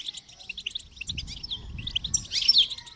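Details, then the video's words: Goldfinch song: a rapid, twittering stream of short, bright notes, with a burst of buzzy, tinkling notes near the end and faint low rumble underneath. "Motivating Song of the Goldfinch"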